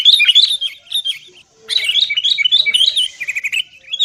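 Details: Sooty-headed bulbul chatter played as a lure so caged birds start singing: quick warbled notes bouncing up and down, a brief silence around 1.5 seconds, then a denser burst of overlapping twittering.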